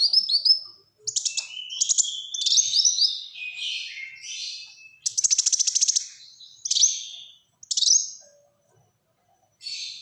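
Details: Black-throated sunbird singing varied high phrases: rapid ticks, sliding whistles and buzzy bursts, separated by short gaps.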